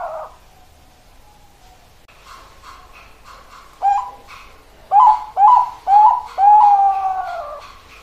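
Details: Perkutut Bangkok, a zebra dove type, delivering its cooing song: a short note, then four quick punchy coos and a long sustained closing coo, with faint higher chirping of other small birds in the background.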